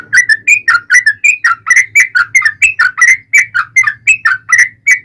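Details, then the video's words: Yellow-vented bulbul in fighting song, a lure to draw replies from other bulbuls; steady, rapid bubbling whistles, each note sliding down then up, repeated about three times a second without a break. "KICAU SUARA trucukan gacor TARUNG ROPEL PANJANG ampuh MENJADIKAN burung trucuk gacor NYAUT SEKETIKA"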